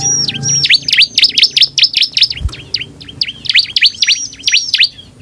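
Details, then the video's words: Bar-winged prinia (ciblek), a vigorous singer used to lure other prinias to respond, sings a fast run of high, sharply falling notes, about four per second, with a brief break midway. "suara ciblek gacor"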